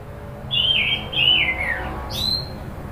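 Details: Orange-headed thrush stirred into emotional calling, lure recording: soft clear whistled phrases sliding downward, then a short high upslurred whistle, somewhat quiet, with faint background hiss.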